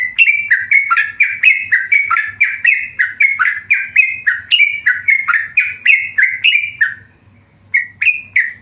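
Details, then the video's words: Tame yellow-vented bulbul singing actively: a quick run of bright chirping notes, each dipping in pitch, repeated several times a second with a short pause near the end, over a faint low hum. "burung trucukan gacor jinak"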